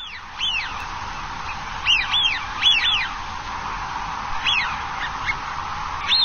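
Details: Eurasian wigeon on the shore of Dapeng Bay, 26 November 2018, giving loud whistled two-part calls that rise then fall sharply. Several overlapping whistles come in bursts, with a steady mid-pitched background hiss throughout.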